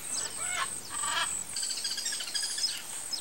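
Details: Rufescent tiger-heron (Tigrisoma lineatum) giving two harsh, honking calls with stacked harmonics in quick succession, followed by softer rasping notes, over a steady high insect buzz.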